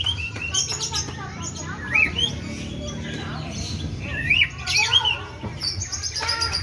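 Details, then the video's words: White-rumped shama song copying the sooty-headed bulbul: clear up-and-down whistled phrases and short high chirps in scattered bursts, with a constant low background hum. "Suara Emas Burung Murai Batu ll Murai Rasa Kutilang"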